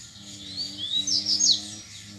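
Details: Grego-type song of a wild double-collared seedeater disputing with rivals: a faint rising whistle, then a brief bright cascade of high, sharp notes ending in a downward slur, over a persistent low hum.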